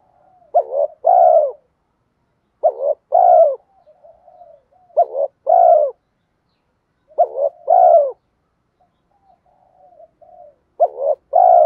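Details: Spotted dove coo used as a decoy call to attract doves. Five throaty two-note phrases repeat about every two and a half seconds, each a short note and then a longer burred, falling coo. Faint soft murmurs fill some of the gaps.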